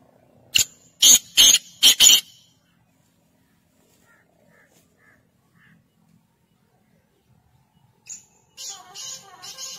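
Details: Black francolin (Sindhi kala teetar): four loud, harsh, grating bursts packed into under two seconds, then a quiet stretch with a few faint short notes, ending in a burst of rustling, scratchy noise.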